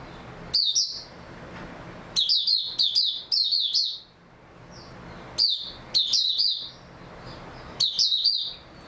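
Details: On 3 March 2022 an oriental white-eye delivers short, high, squeaky warbling bursts, often in twos or threes, spaced by gaps of one to two seconds, over low background hiss.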